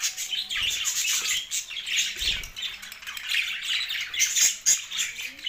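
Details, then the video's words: Pet budgerigars, two males, in steady loud chatter: grating warbles mixed with sharp squeaks, and a few soft thumps. "2 Male Budgies parrot chirping sounds"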